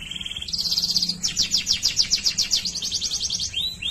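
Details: Waterslager canary giving a short low whistle, then a bright buzzy trill and a long series of strong, evenly pulsed notes, finishing with two rising slurs.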